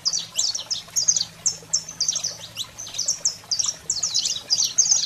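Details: Saffron finch in 'fogo selvagem' style, played to stimulate and fire up canaries; a rapid, continuous run of sharp, high chirps and short buzzy trills, tumbling notes packed closely together, with a faint low hum behind.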